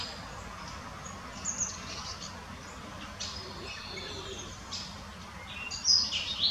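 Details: A European greenfinch foraging in the Munich Botanical Garden gives sparse, short high chirps and twittering notes, strongest near the end, over a steady low background hiss.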